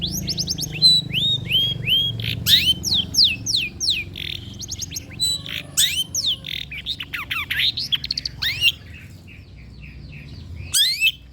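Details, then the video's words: Long-tailed shrike singing, meant to lure quiet birds into song: a lively stream of sweeping, squeaky whistles and harsh notes, which fades to a quieter pause and then ends with a sharp call. "PANCINGAN CENDET SUSAH BUNYII, DIJAMIN GACOR DENGAR SUARA CENDET INI"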